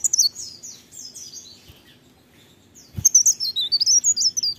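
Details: Morning song of a leaf warbler: a high, sweet twittering phrase, a quiet gap with a soft knock, then a rapid run of thin, wavering, tinkling notes.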